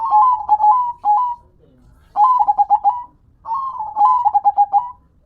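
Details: Perkutut, local zebra dove, singing manggung: three rhythmic phrases, each opening with a rolled coo then a beat of separate pulsed notes and a final held tone, about every one and a half seconds.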